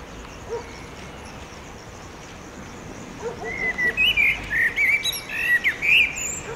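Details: Sunset song of a male common blackbird in urban Oradea near a railway footbridge, sung to establish a territory: quiet opening seconds, then a run of rich, looping whistled phrases mixed with thin high squeaks.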